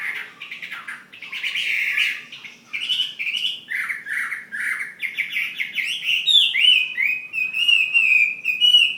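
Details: Chinese hwamei from Ha Giang kept as a fighting bird, singing a loud varied song of rich slurred whistles and rapid chattering phrases that climb toward a sustained ringing series near the end.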